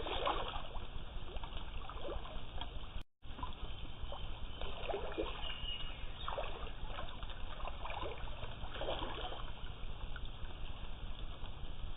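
Only splashing and trickling water over a low rumble can be heard, with no clear animal calls and a brief dropout near the start.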